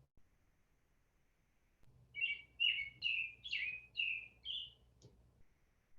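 American Robin song: a run of six or so clear, caroling whistled phrases, rising and falling, each about half a second apart, with faint low background hum.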